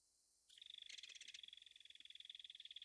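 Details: Belted kingfisher, native to North America, delivering a continuous fast harsh rattle of evenly spaced clicking notes for over two seconds.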